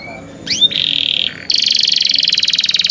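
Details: Young canaries kept by their owner: a rising and falling slur, a buzzy note, a short pause, then a long rapid pulsing trill.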